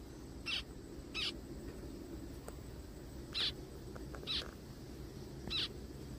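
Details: A little zebra finch found crying in the forest gives five loud, distinct nasal 'meep' calls spaced irregularly about one to two seconds apart, against a quiet low hum.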